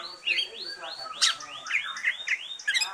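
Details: Green leafbird singing after its moult, song used to stimulate other birds: a run of rising, arched whistled notes repeated about every quarter second, with a sharp burst of brighter chirps midway and at the end.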